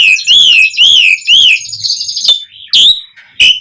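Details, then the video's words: Asian pied starling in full song, used as a lure to make starlings sing: three loud, arched whistles in quick succession, a raspy buzzy phrase, then short sharp whistled notes. "Suara Jalak Suren Gacor"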